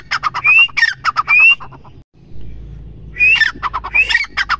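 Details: Female grey francolin, known as teetar: loud harsh chattering notes with rising whistled slurs, delivered in a rapid burst, a short break, then another burst.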